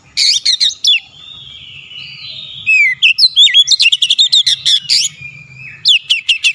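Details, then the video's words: Oriental magpie-robin (kacer) in shooting 'nembak' song, repertoire unloaded: loud clipped notes and a smooth whistle, then a fast rattling string of about fifteen sharp staccato notes with rising slurs. "KACER NEMBAK NEMBAK BONGKAR ISIAN"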